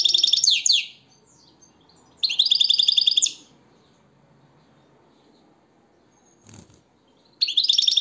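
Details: European goldfinch singing in three separate bursts of fast, liquid twittering, each about a second long with silent gaps between, plus a single dull thud near the end.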